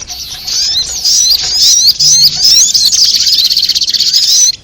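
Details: Sunbird known as sogok ontong, in a trapping lure track: continuous high, squeaky twittering with wavering whistled slurs, building into a fast pulsing trill near the end.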